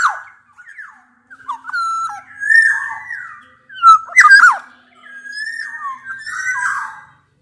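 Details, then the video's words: Black-naped orioles of Javanese and Sumbawa stock, males and females, challenging a rival with rich liquid whistles, sliding fluty notes and a sharp squawk in the middle, delivered in a continuous excited stream. "kepodang gacor MENANTANG LAWAN"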